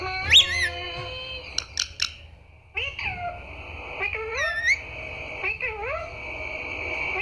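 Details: Parrot saying "Mummy" and "Papa" with a loud squawk, clicks, then nasal syllables that dip and rise, several repeated in a row, trailing off into a held tone.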